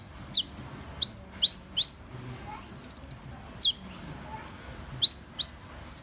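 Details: Van Hasselt's sunbird song: very high, thin notes that each sweep sharply downward, given singly about every half second, with one fast burst of about eight rapid ticking notes in the middle. The background is quiet.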